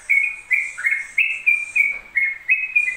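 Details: Yellow-vented bulbul in continuous ropel song: fast chain of clear whistled notes, some rising and some falling, delivered roughly three per second with no break across the whole stretch.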